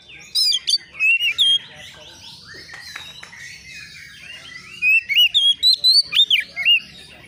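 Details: Young Oriental magpie-robin, agitated and answering a rival. Two bursts of loud, varied whistled notes with sharp slurs and quick upward flicks arrive early and again after a quiet gap. A low murmur runs underneath.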